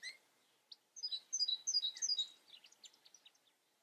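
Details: Quiet European goldfinch from the Eifel countryside, giving a brief string of very high, sharp tinkling notes that quicken, then fade into softer trailing chips.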